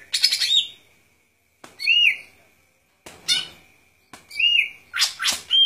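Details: Golden-fronted leafbird singing short bright phrases of sweet whistles mixed with harsh chattering bursts, each phrase separated by brief silences, with a faint steady high tone underneath.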